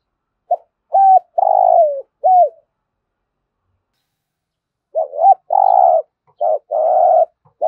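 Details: Spotted dove cooing in the thúc gù style: two phrases of short hooted coos, each a few clipped notes followed by a longer, rough, slightly falling coo, separated by about two seconds of silence.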